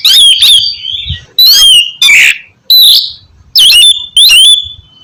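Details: Oriental magpie-robin song used to stimulate a lazy bird to sing: loud, separated phrases of bright whistles and harsh buzzy notes, roughly every half second to second.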